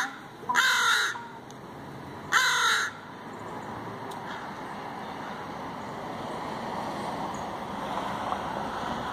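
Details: Two Northwestern crows making very strange noises: two loud, resonant calls rich in harmonics, each under half a second, about 1.7 seconds apart, over a steady broadband background rush.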